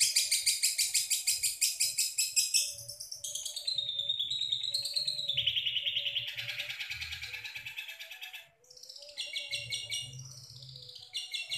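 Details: Long-tailed shrike showing its full repertoire of mimicked songs: dense rapid high chips, then a long slurred warbling phrase wavering up and down, ending in fast repeated sharp notes over a faint steady hum.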